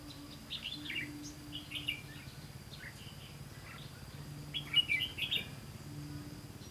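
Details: During a trapping attempt on 18 September 2016, a red-whiskered bulbul sings short bright warbling phrases. The phrases come early, then a denser cluster near the end, over a constant low hum.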